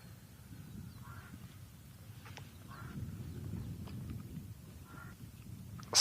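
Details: On an overcast morning, 22 January 2023, a crow gives three harsh, hoarse caws about two seconds apart, over a low rumbling background, with a sudden loud noise at the end.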